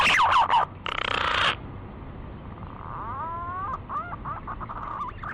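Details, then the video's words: A green pigeon (punai) gives mellow, fluty whistles that waver up and down in short phrases, after an opening of louder harsh notes and a brief rough burst. "SUARA BURUNG PUNAI"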